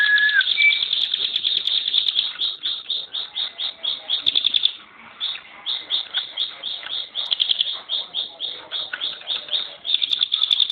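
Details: Caged ciblek gunung, or bar-winged prinia, in contest form, giving 'tembakan' rapid-fire song: a short whistle, then tight high chips in bursts broken by brief pauses, then resuming.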